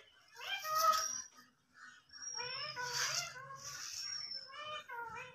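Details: A talking Indian ringneck (rose-ringed parakeet) chatters in two bursts of nasal, warbling, speech-like syllables mixed with thin high whistles, with a faint low buzz underneath.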